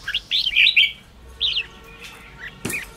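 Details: Red-whiskered bulbul song meant to stir up a bird: a few short warbled whistles and chirps, then a pause, a brief phrase, and a sharp click near the end.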